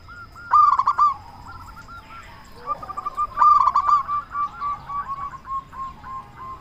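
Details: Local zebra dove singing to goad quiet or stressed doves into answering. Two loud clipped bursts of coos stand out, each followed by softer, trailing runs of repeated notes.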